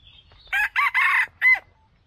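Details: Red junglefowl cock in the wild gives its crow, used as a trapping lure: four harsh, rasping syllables, the last short and clipped, over faint high chirping from another bird.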